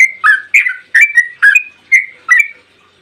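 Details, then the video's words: Six loud, rich whistled notes from a yellow-vented bulbul in long 'ropel panjang' style, spaced about half a second apart, each a quick liquid slur, sung to provoke other bulbuls into singing. "trucukan gacor ROPEL PANJANG buat pancingan trucukan agar bunyi"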